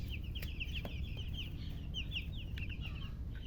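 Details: Freshly hatched chicks calling: a dense run of short, falling whistled peeps from several birds, with a few clicks and a constant low rumbling hum behind them.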